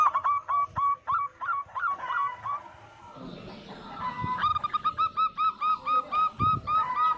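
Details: Local zebra dove singing, used as a lure to prompt other zebra doves to call: rapid runs of soft, mid-pitched cooing notes in two bursts separated by a brief quieter pause, with faint low rustling beneath.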